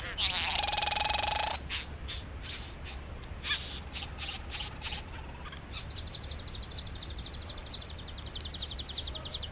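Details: Bowerbird singing in a back yard where the birds are nesting: a loud buzzy rasping burst of about a second and a half, then faint scattered rasps, then a fast high ticking series of clicks.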